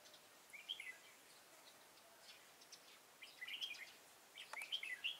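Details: Red-whiskered bulbul heard on 13 August 2018 while trapping an old wild bird with a decoy in Thái Nguyên, Vietnam; three short lively warbled phrases, each a fast tumble of clear notes, with steady background hiss.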